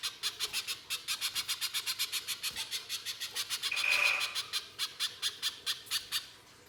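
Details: Pijantung pisang, a little spiderhunter, singing hard 'nembak kasar' chatter meant as a lure to set other birds off: a long unbroken train of rasping chips about four per second, with a brief clear whistle midway.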